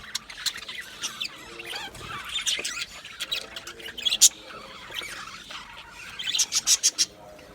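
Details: Budgerigars in an aviary colony: dense, overlapping warbled chatter and chirps, with sharp clicking bursts around the middle and a quick run of clicks near the end.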